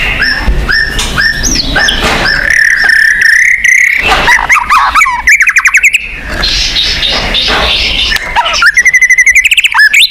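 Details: White-rumped shama song played as a lure to get caged birds singing: varied whistled phrases, sliding notes and rapid harsh rattles, with a steady low hum underneath.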